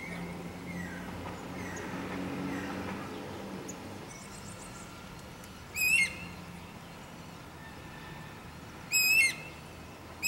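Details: Wild guira cuckoo giving short, sharp, overtone-laden whistled calls, spaced roughly three seconds apart after a mostly quiet opening. A soft, faint rumbling murmur fills the first few seconds.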